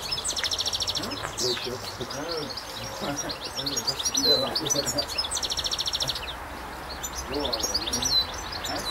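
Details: European goldfinch singing in the wild in France: quick, bright, tinkling twitters and buzzy trills, high and busy, with other birds chirping around it and a person speaking briefly.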